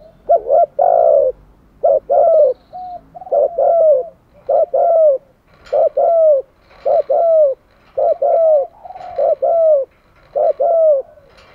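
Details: Decoy spotted dove cooing to lure wild doves: a steady run of about ten phrases, each a quick doubled note followed by a longer throaty, slightly falling coo, about one per second, with no other clear sounds.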